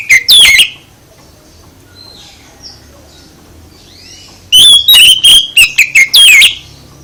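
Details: Oriental magpie-robin song used to goad other birds into replying. Opens with a loud, sharp whistled burst, then a soft pause with faint far-off calls, then a rapid run of clipped whistles and falling slurs.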